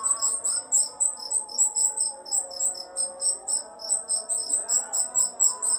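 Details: Training-model song of the rio-rio, meant for teaching songbirds: a steady train of piercing high chip notes, roughly three per second, pulsing evenly throughout, with gentle music playing underneath.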